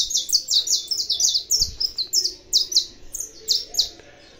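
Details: Aviary-bred saffron finch singing readily: a fast, continuous series of high, slightly buzzy chirped notes, about four per second, with a soft low bump partway through.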